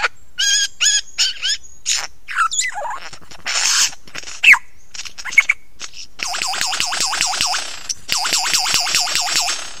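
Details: On Ben Ricketts at 9 AM, 16 November 2022, a lyrebird sings close by: varied whistles and chatter, then a rapid, steady series of bouncing, looping notes repeated many times per second.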